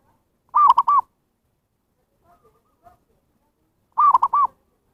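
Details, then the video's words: Lure recording of a zebra dove calling to draw in wild birds: a rolling three-part coo repeated after about three and a half seconds, with a few soft faint notes in between. "SUARA PIKAT PERKUTUT"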